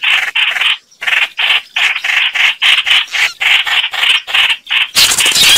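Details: Chao chảo bird calls used as a trapping lure: loud, harsh chattering bursts about a quarter second long, repeated rapidly with short gaps, ending in a noisier rush.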